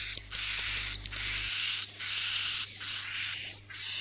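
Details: Edible-nest swiftlet roosting lure call, played to draw swiftlets to stay overnight in a swiftlet house: dense, high, buzzy chirps with a thin steady whistle, in overlapping bursts, with a low hum at the start.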